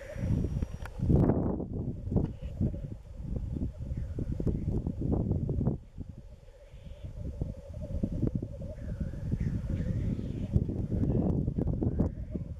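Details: Black grouse displaying at a spring lek in east Wales, March; low continuous bubbling chorus amid loud wind gusts, a quieter lull midway, and faint higher calls.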